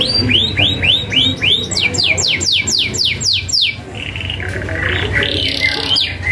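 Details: Vigorous canary singing a sharp roll, 'ngerol tajam', for young birds to learn: evenly spaced rising-falling whistled notes giving way to faster steep downsweeps, then a softer scratchy passage, with low hum throughout.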